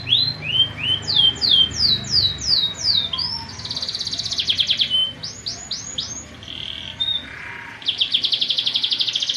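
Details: Training song of a fighting canary: rising whistled notes in quick runs, broken by buzzy rattling trills and a steady tone, then a fast pulsed roll at the end.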